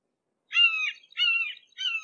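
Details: Red-shouldered hawk close at hand, giving three slurred, downward-sliding screams in quick succession, a short gap between each, the recording otherwise quiet.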